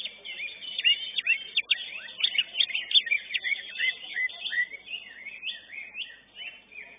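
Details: Contest-winning caged greater green leafbird, first in class 11 at a singing competition, rattling off fast sweeping whistles and sharp chips about three per second, the phrases shifting pitch and easing slightly toward the end.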